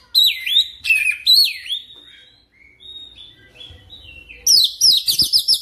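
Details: Kacer lure song meant to make oriental magpie-robins sing fast and continuously. Loud, downward-sweeping whistled notes give way to a quieter, thin, wavering passage, then a burst of rapid, bright, repeated chirps.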